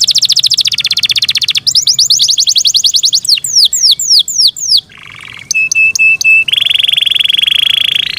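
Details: Loud song of a kept Yorkshire canary moving through varied tours: a fast rolling trill, quick falling notes, slower slurred whistles, a brief low buzz, sharp clipped notes and a closing rolling trill.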